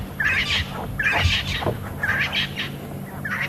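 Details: Francolins in the bush at Djuma, 17:27 on 6 December 2015, during a leopard sighting, give harsh, grating alarm bursts roughly once a second over a low background rumble.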